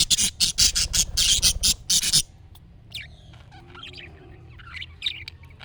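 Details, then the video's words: Budgerigar calling, played so a pet budgie responds: rapid string of harsh, buzzy chirps about ten in two seconds, followed by quieter twittering warble with rising whistled notes. "MUHABBET KUŞU SESİ Kuşunuz Bu sese Karşılık Verecek Kuş Sesi"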